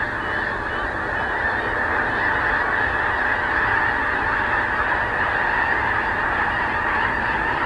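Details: A large flock of snow geese lifting off in Richmond, BC, Canada, on the morning of 30 January 2019, makes a loud, continuous wall of honking. Countless voices merge with no gaps throughout.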